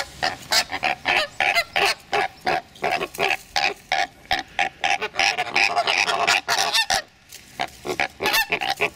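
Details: Greater flamingos squabbling over the best nest sites early in the breeding season, jabbing with bills without injury, trade harsh, goose-like honks about three a second, overlapping into a raucous chorus from several birds.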